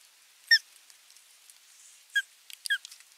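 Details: Osprey at a camera-monitored nest, 27 June 2022, as an adult delivers a fish and watches the young being fed; three sharp, high whistled chirps sliding downward, one alone and then two close together.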